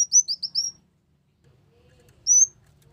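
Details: Ruby-cheeked sunbird song used as a lure for trapping birds: four quick, very high slurred whistles in a tight run, a second of near silence, then one lone rising high whistle over a faint low hum.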